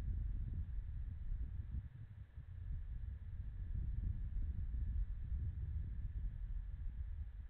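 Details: Muffled low rumble and hiss from a nest camera at night, with no calls or other animal sounds heard.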